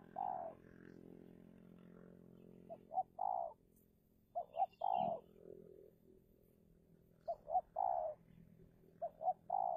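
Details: Decoy spotted dove, Indonesia, calling to lure wild doves in a tense territorial contest. A steady low hum opens, then four mellow phrases of two short notes and a longer coo spaced a few seconds apart.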